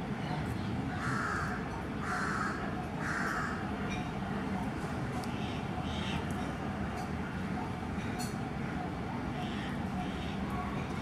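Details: Alexandrine parakeet feeding at Borivali, Mumbai, India, gives three harsh, grating squawks about a second apart, then fainter calls, over a steady low rumble of traffic or machinery.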